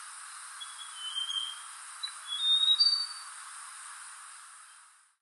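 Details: A mountain tailorbird at Fraser's Hill, Malaysia, on 15 February 2023 gives a few thin, very high whistled notes, some sliding slightly upward, over a steady background hiss.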